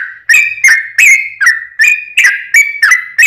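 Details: Yellow-vented bulbul giving a long 'ropel' song meant to provoke other bulbuls into singing: bright, bubbly whistled notes, each a quick downward slur, repeated almost three times per second without a break.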